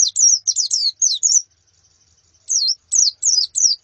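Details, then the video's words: Female and colony white-eyes calling, used to encourage male song: a string of high slurred chirps, a second of quiet, then four more spaced downslurred notes. "Suara Pleci Betina dan Koloni Untuk Terapi Kicau Pleci Jantan"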